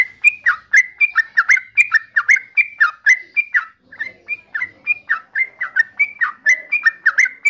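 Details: Yellow-vented bulbul (trucukan) singing a steady run of liquid notes, each a short whistle dropping sharply into a lower gurgle, repeated about three times per second with barely a break.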